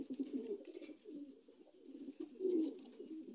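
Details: Short stretch of soft, deep cooing from young adult Lahore pigeons indoors, a muffled burbling sound rising to a louder coo near the end.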